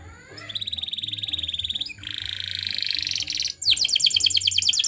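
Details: Canary song for training birds, with a long steady rolling trill, a sudden drop into a lower trill, then a very rapid high rattling passage.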